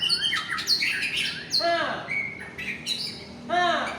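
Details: White-rumped shama, Aceh type, a fighter bird in peak form, giving bright high whistles and rapid chips, then two harsh, nasal squawk-like notes, one midway and one near the end.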